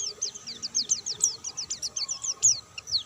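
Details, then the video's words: Quieter recording of a white-eye singing freely without doping: a quick row of high, thin descending chirps over a background hiss and faint low hum. "burung pleci gacor dor tanpa doping"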